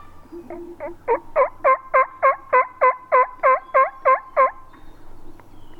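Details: A wild turkey tom with hens, strutting about 80 yards away in Virginia woods on a youth-season hunt morning, gobbles in a rapid, rattling burst of about a dozen throaty gulping notes over three seconds, ending abruptly.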